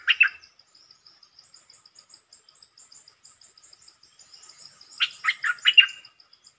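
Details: Red-whiskered bulbul giving short, pleasant song phrases: a quick burst of warbled, chirping notes at the start and a louder cluster of four or five rich notes near the end, over a steady fast ticking insect.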